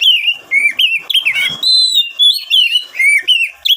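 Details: Singing oriental magpie-robin, recorded as a lure to get wild-caught birds singing quickly: a continuous stream of loud, varied whistles, some held, some looping down and up, with rapid short chirps between phrases.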